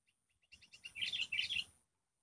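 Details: Wild sooty-headed bulbul facing off against a caged lure bird so fiercely that the lure shrieks: a few soft chirps build into a dense burst of loud, bright, chattering notes lasting about a second, then stop.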